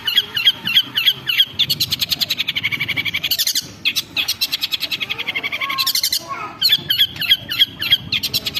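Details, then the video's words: Long-tailed shrike (cendet) lure song for rousing a bird to sing aggressively: a few clipped high notes, then rapid rattling chatter repeated several times a second, with buzzy rasping passages between. "PANCINGAN BURUNG CENDET GACOR jitu buat Pancingan Cendet Agar Bunyi EMOSI"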